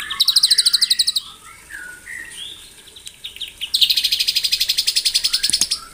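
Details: Morning song of a white-rumped shama used to provoke rivals: a fast, high rattling trill, a pause with soft low whistles, then a longer trill of about twenty-five rapid notes.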